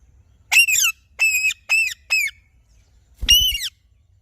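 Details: Alexandrine parakeet squawking: five loud, harmonic calls that rise and then drop, the first four close together and the last after a pause of about a second.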